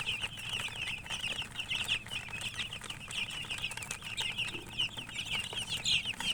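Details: A flock of young chicks chirps nonstop, their thin, high peeps tumbling over one another in a busy, quieter chatter.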